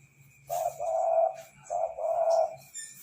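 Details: Spotted dove cooing in two low, soft phrases, each a short note followed by a longer rolling coo, the pair repeated about a second apart, with a faint steady hum and brief high chirps in the background.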